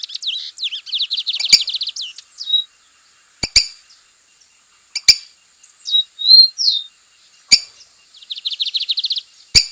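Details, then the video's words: Lined seedeater singing strongly in the wild: fast, high, buzzy trills and short whistled notes in bursts of a second or two, broken by sharp clicking taps. "Bigodinho preto cantando firme e forte na natureza"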